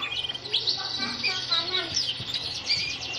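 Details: A male canary in breeding condition, paired and ready for breeding, sings a fast, unbroken stream of high chirps and rolling trills, with bright whistled notes scattered throughout and faint background noise.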